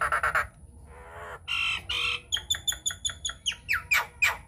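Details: Nias hill myna lure recording to prompt other mynas to sing. Harsh croaking squawks and nasal honks are followed by a steady series of evenly spaced clipped notes, ending in rising squeals.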